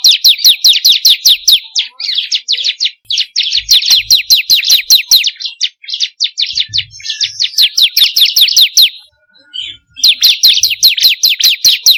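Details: Bar-winged prinia, known locally as ciblek kristal, played as a lure to get caged birds singing: rapid bursts of sharp, high descending chirps repeated about two or three per second, in phrases broken by short pauses.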